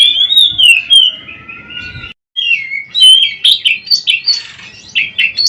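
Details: Oriental magpie-robin (kacer) song used as a daily mastering recording for training other kacer birds: loud, varied whistled phrases, sliding and warbling, with a short pause near two seconds before rapid, choppy notes resume.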